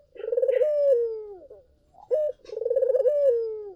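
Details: Cooing of a collared dove, played as a lure so other doves reply: a throbbing, rolling coo that swells into a long, smoothly falling note, a brief sharp coo, then the same rolling-and-falling phrase repeated.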